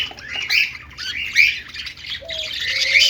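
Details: Budgerigars, pet Australian parrots said to be happy and playing, give rapid scratchy chirps and warbles at high pitch, with a short clear whistled note near the end.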